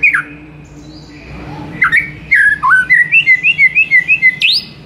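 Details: Shama master song intended to excite a silent bird: after a quiet start, a fast string of short rising whistles repeated about three times per second, ending with a sharp upward sweep.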